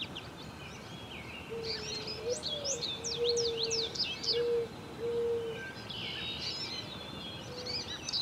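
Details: American robin hatchlings in a nest tended by their parents: bursts of high, sharp chirps separated by a quieter gap, and repeated low steady hums in the middle, over background hiss.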